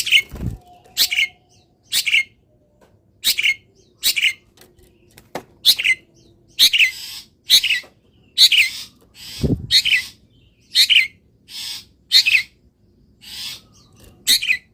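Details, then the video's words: Caged long-tailed shrike singing in morning sun after being misted, cover removed; loud broadband notes repeated roughly every second, with a few low thumps. "BURUNG CENDET SANGAT BAHAGIA KETIKA DI EMBUNKAN DAN KENA MATAHARI PAGI - CENDET GACOR FULL ISIAN"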